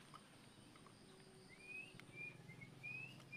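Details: Oriental magpie-robin singing in the afternoon, a 'riwik plong' style song used as a lure to train other birds: a run of clear, slurred whistles rising slightly, about four in two seconds, over a steady low hum.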